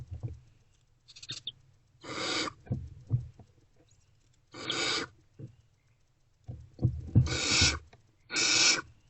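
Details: Barn owls at a nest box at night, 28 February 2024, amid food deliveries; a few quieter rasping hisses are spaced several seconds apart, mixed with soft tapping and shuffling sounds.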